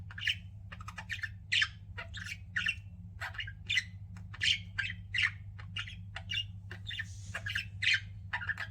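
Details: Pet budgies giving a steady run of scratchy chirps and short squawky warbles, roughly two or three per second, over a low background hum.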